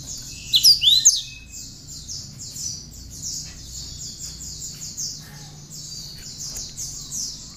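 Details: Cinereous tit singing with bar-winged prinia notes, for tutoring other songbirds: an opening burst of loud, sharp, high slurred notes, then a long run of fast, evenly pulsed high chattering notes, roughly two or three per second.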